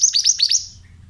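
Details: Oriental magpie-robin, therapy sound for young birds: a brisk run of five high, hooked chirps fading out with a faint low hum behind.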